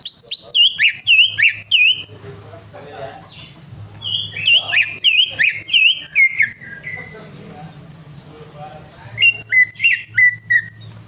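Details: Greater green leafbird song meant to coax a bird that has stopped singing: loud, sweet whistled notes falling in pitch, repeated roughly three per second in bursts with quieter chattering between, and a low mechanical hum underneath.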